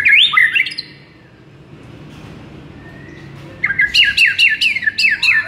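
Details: White-rumped shama song for a masteran lure to rouse a sluggish shama; a short burst of warbled whistles, a quiet pause, then a rapid run of repeated sharp chirps.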